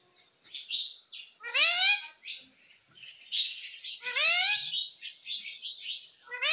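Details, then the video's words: Pet ringneck parrot being trained to talk: harsh, buzzy, descending squawks in two loud bursts, mixed with shorter high chirps and chattering notes throughout, indoors. "Parrot Talking traning video _ मिट्ठू की आवाज बहुत प्यारी है"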